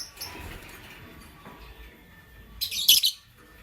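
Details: Lovebirds, a Lutino and a Blue Opaline, chirping in the morning: one short, loud, shrill burst of high chirping near the end, after quiet faint rustling.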